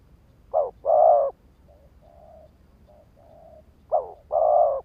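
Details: Decoy spotted dove cooing to excite rival males: a loud two-part coo, then several faint, soft murmured notes, then another strong two-part coo phrase.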